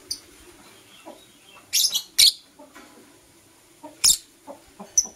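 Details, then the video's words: Blue Opaline and Parblue Euwing Opaline lovebirds in the morning, giving scattered harsh, high chirps in pairs and singles, separated by quiet gaps with soft small noises. "Lovebird Chirping Sounds"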